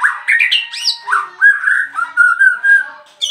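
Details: Caged bird, just arrived, bursting into song as soon as its cover comes off: quick series of bright slurred notes, starting high and settling into a steadier whistled, warbling phrase, loud and continuous.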